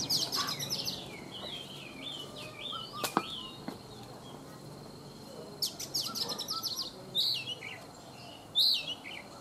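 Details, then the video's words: Caged Oriental magpie-robin, wild-caught and three seasons in captivity, singing in the morning: scattered high whistled slurs and chirp bursts with long gaps, one sharp click, and faint background noise. "Chòe Than già rừng - 3 mùa lồng hót buổi sáng"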